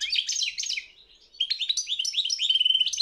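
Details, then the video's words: Competition European goldfinch at a world championship of goldfinch song, delivering fast tinkling twitters, a short dip in volume, then a lively stream of rising, sweeping chirps and a buzzy trill. "Pesma štiglića 009/23 World Championship in Goldfinch Song"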